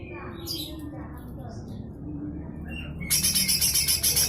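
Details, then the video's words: Lesser green leafbird (cucak hijau mini) in rough 'besetan kasar' style, a tutor recording for magpie-robins and shamas: quiet background hiss with faint whistles, then a loud burst of rapid harsh grating notes repeated about four per second. "Full besetan kasar suara cucak hijau mini"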